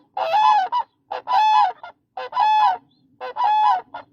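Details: Four loud, throaty, rolling honks from a Demoiselle crane (koonj), roughly one each second, over a faint steady low hum.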